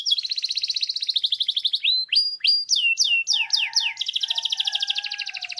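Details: Grey canary singing very loudly: a long, fast pulsed trill, then a run of quick downward-sweeping whistles, then a rolling trill over a low, steady whistled note. No other sounds.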